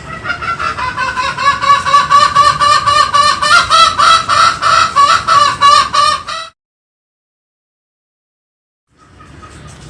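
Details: Green junglefowl calling in a rapid run of harsh, nasal, evenly spaced notes, about three to four per second, for roughly six seconds, then silence with a faint return at the end.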